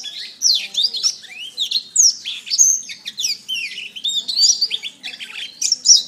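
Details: Canary song recorded as a master for training: a lively stream of sharply slurred whistles and twittering notes, repeated swoops down and up, and a few bright piercing peaks.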